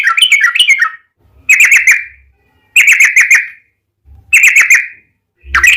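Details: Yellow-vented bulbul singing the 'ropel panjang' style meant to provoke other bulbuls into song: short bursts of bubbly, slurred warbling notes, each about a second long, separated by brief silences, with faint low thumps between phrases.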